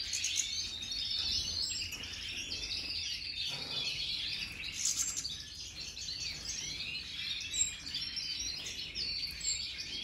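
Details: European goldfinches of the Major type, new birds in 2023, singing together; a continuous bright, high-pitched twittering chorus of overlapping chirps and short trills, with a faint low background hum.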